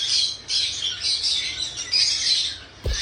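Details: Pet cockatiel calling: a run of harsh, high squawking bursts about half a second each, with short dips between them, over dense high chirping chatter, then a brief low thump at the end.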